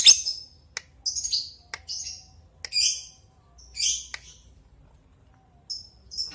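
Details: Lovebird calling an opponent: thin, sharp chirps and short scratchy squawks at irregular gaps, with soft quiet stretches between.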